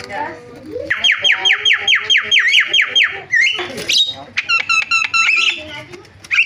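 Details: Javan myna in a varied, filled-in song: a quick series of about eight falling whistled notes, then harsh squawks and a jumble of rapid chattering and sharp repeated notes.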